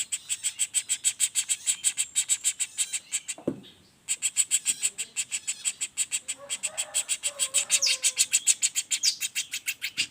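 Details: Rapid-roll calling of a juvenile common flameback, used as a master for other songbirds: a dense stream of harsh chips, about three per second, broken by a half-second silence midway, then resuming with faint lower notes.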